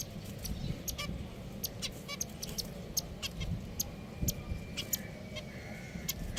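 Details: Pet finches make scattered short nasal beeps and a thin, drawn-out whistle near the end, heard against a low, steady hum.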